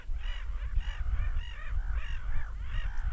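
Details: Seagulls screaming: loud, nasal, arching cries repeated about twice a second, several birds overlapping, with constant low rumble behind them.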